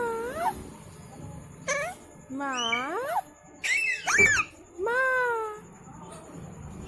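A rose-ringed parakeet gives five short bursts of nasal, rising and falling calls, some almost speech-like, with one harsh screech in the middle.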